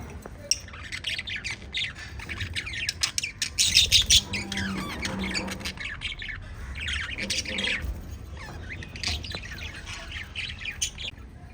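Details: Pet budgerigars chirping: busy, scratchy high chatter with quick squawks, loudest in the middle and briefly quieter between bursts, and a faint low steady tone underneath.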